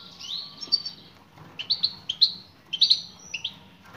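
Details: Female European goldfinch calling to attract a male: thin, high, slightly falling call notes. A long drawn note opens, then clustered bright chirps come in small groups after a short pause.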